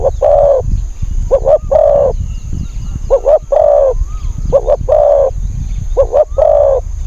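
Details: Decoy spotted dove calling to draw in wild birds, voice described as small and high: repeated phrases of two quick coos and one drawn-out coo, about five phrases, with a faint rising whistle from another bird and low rumble.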